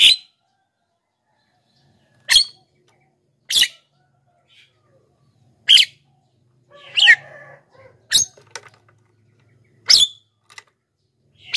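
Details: Black-winged myna (jalak kebo) used to attract wild mynas and get reluctant home birds singing: short, loud, grating bursts repeat every one to two seconds, with a few softer chattering notes between them.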